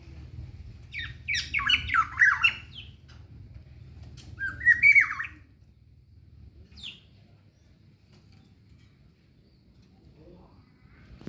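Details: Morning calls of a local black-naped oriole from Ijen, Bondowoso: harsh squawky bursts in the first two seconds and again near five seconds, then one short note and a long quiet stretch with low background hum.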